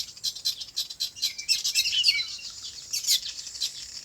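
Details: Farm birds chirping in natural surroundings: overlapping sharp, high twitters and squeaky notes, busiest in the middle, with brief rising and falling slurred chirps.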